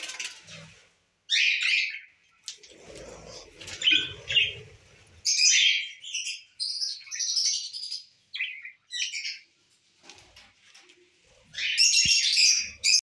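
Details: Breeding lovebirds, Lutino and personata birds, kept for breeding: bursts of shrill, squeaky high chirps and chattering notes, with short pauses between the runs and a few soft low sounds in the background.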